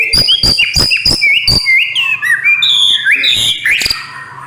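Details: White-rumped shama giving a fast series of evenly spaced sharp clicks, about every third of a second, that blend into flowing, rising and falling whistled song.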